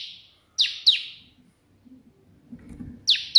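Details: Bar-winged prinia in lively burst song, the white-prinia 'shot' style, used as a training recording for other birds: two pairs of sharp, high down-slurred notes with a quiet gap between, and faint low rumbling beneath.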